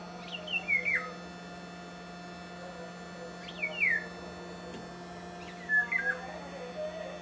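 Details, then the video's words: Eurasian golden oriole sings three short whistled phrases, each a quick slurred sweep falling in pitch, spaced a few seconds apart and fairly faint, over a steady low electrical-sounding hum. "Golden Oriole"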